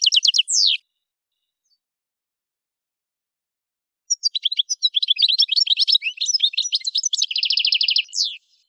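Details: Song of an Algerian goldfinch recorded around Kef El Hammam, Souk Ahras, Algeria: a brief burst of chirps, a silence of about three seconds, then a fast tinkling twitter ending in a quick, even buzzy trill and a final slurred note.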